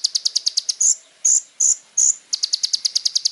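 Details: Little spiderhunter in full, varied song for training young birds: steady rapid ticking notes, about seven per second, broken by four longer shrill whistles, then the ticking resumes.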